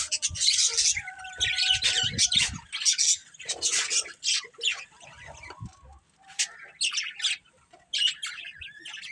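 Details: Budgerigars, a breeding pair, chattering in broken phrases of scratchy high chirps, a few thin steady whistled tones threaded between, quieter gaps toward the middle.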